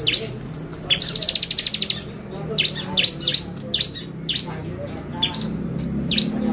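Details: Lure recording of bar-winged prinia to excite the birds: a rapid even trill of about a dozen pulses, then a series of short high chirps spaced roughly half a second apart, over low background noise.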